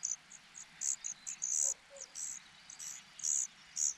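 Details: Cuckoo nestling going hungry while the host parents feed their own young. Rapid, irregular, high-pitched hissing begging calls, short and longer notes mixed, are repeated several times a second.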